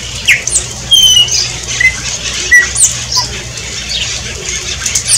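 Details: Recorded in front of a house in Brazil, shiny cowbird song: quick liquid gurgles and thin, high whistled slurs scattered through the clip, with a soft fluttery rustle and a faint low hum beneath.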